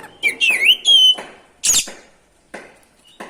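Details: Singing oriental magpie-robin used to provoke other birds to sing: a few loud whistled, warbling phrases sliding around mid-high pitch, followed by short sharp notes and brief pauses.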